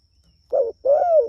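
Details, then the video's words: A short low coo and then a long, smooth, slightly falling coo from a Spotted dove calling its companions, a frequent caller. "Suara Burung Tekukur Gacor Memanggil Temanya"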